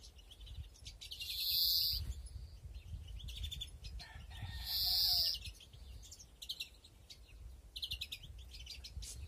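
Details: In a 2021 breeding flight aviary, European greenfinches give two long nasal wheezes about three seconds apart. Clusters of rapid high chirps and trills surround them, over low background rumble.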